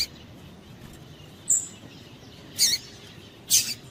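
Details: Female double-collared seedeater calling to excite males. A brief thin high whistle is followed by two harsh, bright chirps about a second apart, over soft steady hiss.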